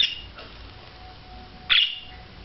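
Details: A budgerigar gives two short, bright, scratchy chirps about a second and a half apart during courtship display, with a faint steady hum in a quiet room.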